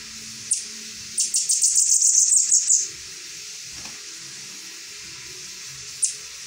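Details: Saffron finch giving one high chip, then a quick run of bright repeated notes for about a second and a half, followed by silence and a lone closing chip; faint low background hum.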